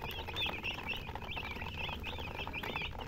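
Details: Brief burst of baby chicken peeping, several clear curved high chirps from multiple chicks in quick succession over soft scratchy noise.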